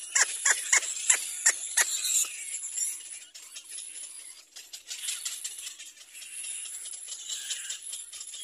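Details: A little black cormorant chick cries for its mother to feed it: harsh, hissing begging rasps, first in quick bursts about three a second, then running into a continuous scratchy chatter.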